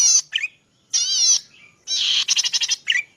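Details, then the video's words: Zitting cisticola, a sound used as master song for training cage birds: harsh buzzy notes with a wavering quiver, a nasal lower note, then a rapid series of five clipped raspy pulses, in a quiet setting. "SUARA BURUNG CICI PADI MASTERAN"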